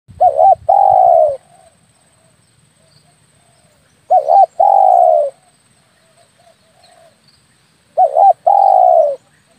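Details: Spotted dove lure call for calling doves in when hunting with an air rifle: three loud cooing phrases about four seconds apart, each a quick stuttered double note followed by a long, slightly falling coo, with quiet low rumble between phrases.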